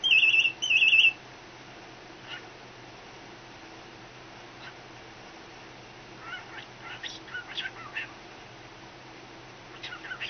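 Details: Pet cockatiel imitating a phone ringing: two short bursts of electronic-sounding trills at the start, then quiet, followed later by softer scattered chirps and chatter.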